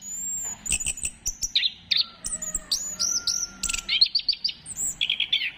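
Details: Orange-headed thrush song used to stimulate other birds to sing: a varied run of bright whistles, slurred notes and quick trills, mostly high-pitched, with dense bursts of rapid repeated notes toward the end.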